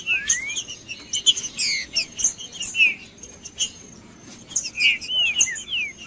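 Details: Trinca-ferro (green-winged saltator) macheando song for warming up other males: rising and falling whistled slurs mixed with busy chirps and clicks, a quieter stretch midway, then more slurs.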